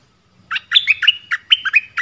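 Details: Streak-eared bulbul giving a lively phrase of about eight short, bright chirps that alternate between higher and lower notes, delivered in under two seconds against a quiet background.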